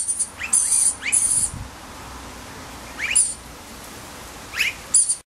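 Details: Spring recording of a rainbow lorikeet chick: shrill, rasping high bursts alternate with short upward-sweeping squeaks, irregularly spaced over several seconds against a low quiet background.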